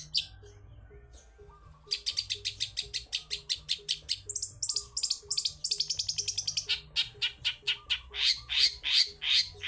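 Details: Long-tailed shrike singing in lively, forest-style fashion as a lure for shrikes that rarely sing: a short quiet start, then steady chattering bursts of high, grating notes, nearly three per second, shifting into a denser, higher rattle, with a low pulsing hum beneath.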